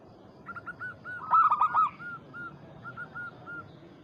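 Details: Zebra dove, local bird calling a rival as a lure: a soft string of evenly spaced short coos with one louder, rolling burst in the middle, against steady low background noise.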